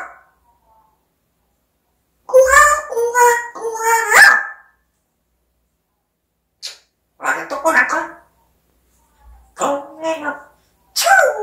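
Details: A pet African grey parrot talks in spaced phrases: a quick string of clear, voice-like syllables, then shorter mumbled words and harsher bursts after pauses.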